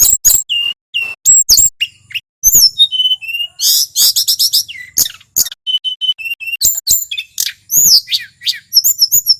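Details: Male tledekan, wild and local to Mount Merapi, in full rolling song meant to excite other birds: bursts of sharp high chirps alternate with clear level whistles and short descending slurs, with brief pauses.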